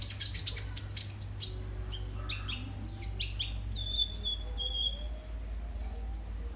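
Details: Sunbird song offered as a lure and tutor for other cage birds: a fast cascade of sharp high notes, then thin sustained whistles sliding slightly in pitch, closing on a long high-pitched note.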